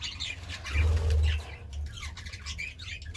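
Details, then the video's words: Budgie gives scattered chirps and short warbled notes, several a second, partly buried under a heavy low hum. "Budgie Sounds part 36"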